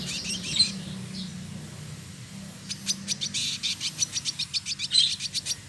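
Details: Singing male village indigobird (trotol) from Bandung, West Java, Indonesia: faint buzzy notes at first, then a quickening series of sharp, dry high ticks, about four a second, over a soft low hum.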